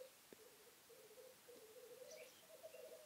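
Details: Black grouse displaying at a lek during the 2015 mating season: a continuous low bubbling, cooing trill runs through nearly the whole stretch, broken by brief pauses, with faint higher chirps from other birds above.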